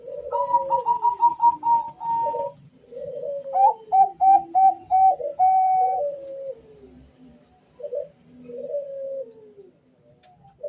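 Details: Male Bangkok zebra doves, two birds answering one another as a lure to start others singing. Runs of rapid staccato coos, a steady series of bright notes ending in a long one, and lower slurred phrases trading back and forth.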